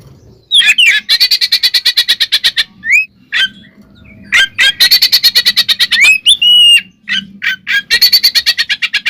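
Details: Oriental magpie-robin fighting song used as a provocation: long rapid rattling trills of harsh clicking notes broken by rising whistled slurs, over a faint low hum.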